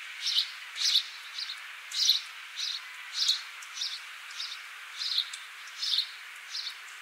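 A house sparrow gives short, bright chirps, roughly one or two each second at a slightly uneven pace, over a faint hiss of background noise.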